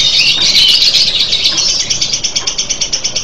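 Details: Lovebird ngekek: a piercing, dense rattle that starts loud and smooth, then breaks into distinct fast pulses, several per second, toward the end.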